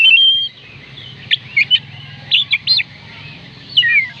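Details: Oriental magpie-robin singing, used as a lure to make reluctant birds sing: a sustained whistle at the start, then short sharp chips in small clusters and a final slurred phrase, with low hum behind.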